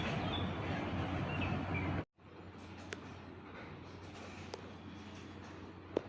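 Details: Wind buffets the microphone, then a brief dropout, then quieter outdoor hiss with a few sharp clicks.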